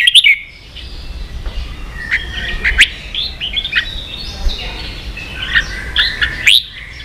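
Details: Red-whiskered bulbul song in ché style, for teaching young birds: spaced whistled notes and short warbles, with sharp rising calls at the start and near the end.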